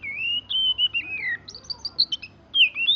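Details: Young oriental magpie-robin, kept as a cage bird, just past its juvenile plumage, singing a learned canary rolling song: clear whistled notes sliding up and down, then a burst of short high chirps and a final rising whistle.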